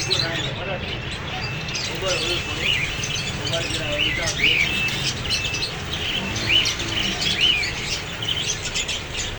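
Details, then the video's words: Parrot chirps: short, bright, upswept notes rising over a steady noisy background, loudest around the middle and near the end, with a faint murmur that may be voices. "Parrots Sound | Parrots Cute Voice"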